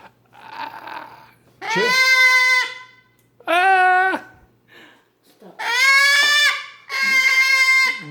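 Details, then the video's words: A pet cockatoo gives four loud, harsh, drawn-out squawks, each about a second long and rich in harmonics, like clearing its throat at a family breakfast, with quieter indoor noise between them. "Cockatoo Charlie clearing throat"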